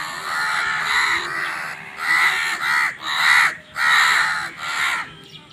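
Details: Crow cawing almost without pause while fighting for food: a run of about six harsh, rasping calls of varying length, loud and close.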